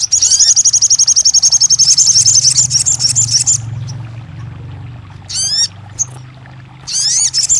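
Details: Crested jay, known locally as sogon, song used to coax a non-singing bird into song: a long, fast, high metallic rattle lasting over three seconds, then quick rising sweeping notes and another rattle burst over faint low hum.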